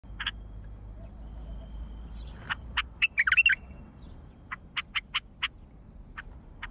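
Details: Wild bulbul from Mandali calling: a few short, sharp notes, then a quick bubbly warbled phrase in the middle, followed by a series of evenly spaced clipped notes. Faint low background hum.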